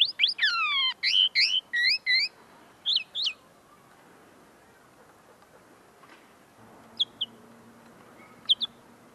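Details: Tame linnet still learning its notes, singing right in front of the listener: steep falling whistled slurs and chirps at the start, then sparse isolated notes over faint background noise.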